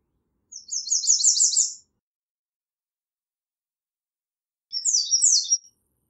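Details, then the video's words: An American redstart sings two very high, thin phrases: a quick run of repeated sibilant notes, then a shorter slurred phrase; no other sounds. "American Redstart Singing - Candelita Norteña Cantando"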